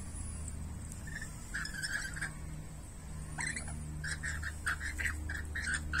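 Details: Rainbow lorikeets, two birds squabbling while being fed grapes; harsh, grating screeches come in scattered bursts early, then a rapid run of about a dozen raspy cries from the third second onward, over a steady low hum.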